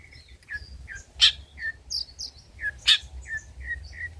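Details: Long-tailed shrike performing old-style material for luring and tutoring birds: spaced short whistled notes and falling slurs, with two loud sharp clicks.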